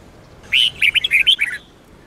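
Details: Sông Kôn style song of a red-whiskered bulbul, used as a daily training song: one brisk phrase of about eight clear, bouncing whistled notes lasting roughly a second, against a quiet background.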